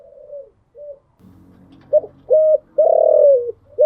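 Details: Spotted dove cooing in the morning, kept in a cage: soft coos, a low rumbling murmur, then loud short coos and a long drawn, falling coo.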